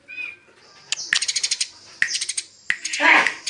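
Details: Eurasian tree sparrows fighting: bursts of sharp, high chirps in quick runs of five or six notes, separated by short pauses, with a harsher, noisier chatter at the end.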